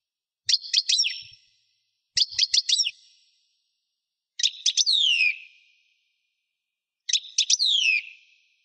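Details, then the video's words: Caged European goldfinch giving four separate bursts of sharp twittering notes, several ending in a downward-sliding buzz, spaced about two seconds apart. Soft low knocks near the start. "il canto del mio cardellino"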